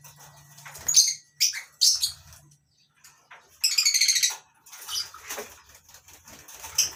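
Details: Morning colony cage of lovebirds on a farm, masked and Fischer's lovebirds among them. A few sharp shrieks open, then a rapid buzzy trilled chatter, followed by scattered softer squeaks and rustling.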